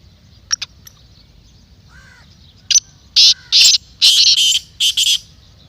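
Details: Black francolin calling, kala teetar: a burst of five or six harsh, grating, scratchy notes in quick succession near the end, after a few faint clicks and soft whistles from other birds.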